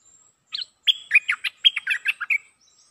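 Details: Cream-vented bulbul mating call: a short chirp, then a rapid chain of about ten liquid, bubbly notes alternating high and low, ending around 2.4 seconds, a faint high thin tone above.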